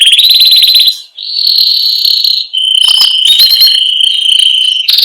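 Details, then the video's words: Canary described as a master singer calling its friends and fighting; loud, pure rolling trills near the upper-middle register, a buzzy pulsed phrase, then a long steady whistled roll with brief harsh bursts. "O SOM DOS CANÁRIOS MESTRE CHAMANDO AMIGOS E BRIGAS"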